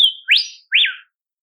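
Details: Olive whistler of southeastern Australian forests: a steady high whistle sliding into a strong rising sweep, then an arched note that climbs and falls, clear and whistled, in the wild.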